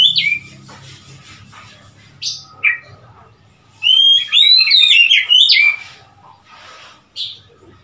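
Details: Oriental magpie-robin on 3 March 2021: a rich burst of warbled whistles, rising and dropping, lasting about two seconds, framed by a few fainter separate whistled notes and soft low background hum.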